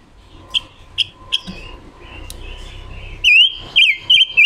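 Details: Red-billed leiothrix, female decoy bird whose song is used for voice training and trapping lures; three short high chips, a quieter whistled stretch, then a rapid burst of loud, rolling warbled notes.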